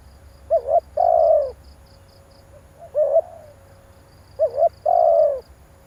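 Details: Lure calling of a spotted dove to rouse a decoy bird. Three phrases are spaced about two seconds apart, each a short bouncing double note followed by a long falling coo. The middle phrase is clipped short. Faint rhythmic high chirping sounds behind.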